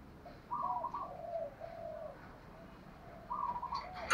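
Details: Spotted dove calls, male and female, played to prompt captive doves to call: soft, low hooting coos in a short phrase, then a pause and another coo, ending with a sharp click over faint background hiss.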